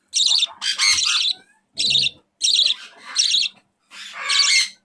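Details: A 4-week-old hand-fed budgerigar chick gives harsh, raspy, high-pitched squawks in bursts, roughly six in five seconds, with faint handling noises between them, during feeding.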